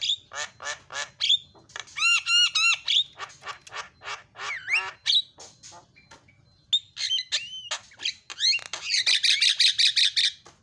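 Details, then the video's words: Javan myna fill-in song from a masteran recording: rapid harsh notes, nasal honking bent calls, and clipped chips, ending in a long dense rasping chatter. "KICAUAN JALAK SUPER MANTAP"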